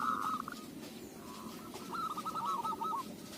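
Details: Local zebra dove whose voice suits use as a lure, giving two bursts of rapid, hooked, mid-pitched cooing notes, the second a longer rolling trill, over a steady low background hum.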